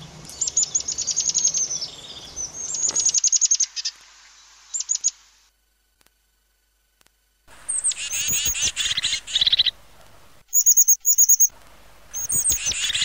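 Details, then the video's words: European crested tit song in several bursts of rapid, high, crackling trills and thin sharp notes, separated by silent gaps. "chant de la mésange huppée"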